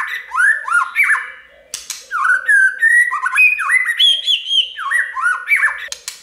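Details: White-rumped shama singing many voices, used to prompt other birds to sing; varied rising and looping whistles, sharp clicks and slurred phrases flowing in quick succession.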